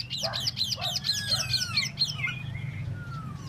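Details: Tieu mi bird kept for solo singing opens with a fast run of bright, repeated downslurred notes about four per second, then trails into softer whistles and a long falling tone.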